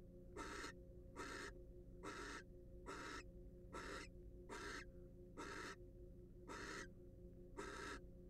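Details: Nine short, coarse screeches from a wild barn owl at a research-monitored nest box, coming roughly once per second in a loose rhythm, backed by faint steady hum.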